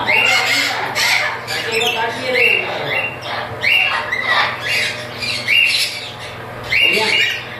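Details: Breeding pair of chattering lories giving harsh, grating squawks in uneven bursts, several overlapping, with a voice repeating a short phrase in the background.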